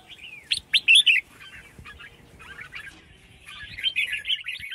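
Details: Female red-whiskered bulbul calling to stimulate males to sing. Bright chirps and sweeping notes, with a loud burst of three sharp, squeaky notes near the start, then softer warbles and a rapid chattering phrase at the end.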